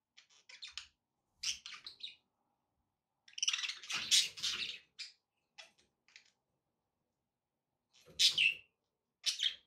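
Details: Budgerigars kept indoors make scattered short chirps and clicks. One longer, dense burst of raspy warbling comes near the middle, and a few sharp squeaks follow after long pauses.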